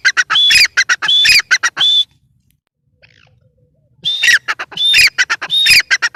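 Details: Grey francolin, possibly female: loud, harsh bursts of rapid clicking notes with short whistled accents, repeated in two runs broken by a quiet gap.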